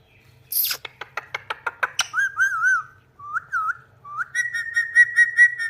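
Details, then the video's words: Talking pet Indian ringneck parrot: a run of quick sharp clicks, then wavering warbled whistles at middle pitch, finishing with a steady, rapidly pulsed whistle. "Bolne Wala Tota | Parrot Talking Mummy"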